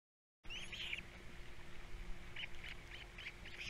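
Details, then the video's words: Young ospreys, a brood of three on Captiva, at feeding time in 2022. Piping squeaky notes open the clip, then a string of evenly spaced short chirps follows over a low electrical hum. "All 3 osplets doing well, #3 especially at feeding time"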